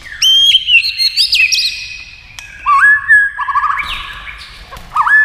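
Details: White-rumped shama singing against a TV while flicking its tail, in a rapid, varied song. Bright whistled notes slur up and down, with sharp rising sweeps and loud bursts separated by short pauses.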